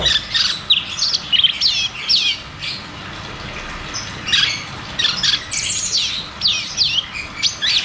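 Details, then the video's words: Cucak cungkok in caged-bird singing therapy with a 'ngeroll tembak' song: clusters of bright high chirps and slurred whistles, a brief pause midway, then more rapid chatter. "Therapy dan Pancingan Burung Macet Bunyi || Cucak cungkok Ngeroll tembak"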